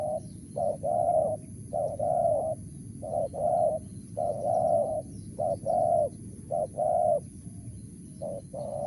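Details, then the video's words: Long series of low hollow coos from a wild spotted dove of the 'mersik' voice type, paired short and long notes repeated about seven times at a steady rhythm. "BL suara Mersik//Tukang Keliling//Aren4 Laman"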